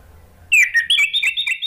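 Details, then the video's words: ['Orange-headed thrush lure song, meant to draw replies. A bright, sweet run of varied whistled notes bursts in after a quiet start and continues with short, quick phrases.'] "PANCINGAN ANIS MERAH biar ikut NYAUT jadi BUNYI GACOR NGEPLONG"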